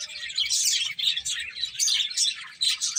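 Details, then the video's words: Finches busy eating give a quick flurry of sharp, high chirps in pulsing bursts, with faint soft knocking below. "Cute Finches Chirping Sounds"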